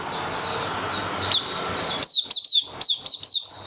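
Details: Kept white-eye singing on 23 March 2022, its feeding adjusted for warm humid weather; soft high warbles under a steady hum of room noise, then crisp, separated falling chirps about every quarter second.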